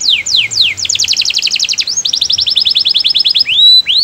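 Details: Canary singing melodiously, a song meant to get other canaries singing along: fast down-slurred whistles, then long rapid rattling trills of even notes, a rising sweep and closing high down-slurred notes.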